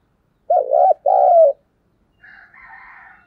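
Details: Lure call of a spotted dove played at dawn to bring birds in fast: two rich, vibrating low coos in quick succession, then faint higher chattering from other birds.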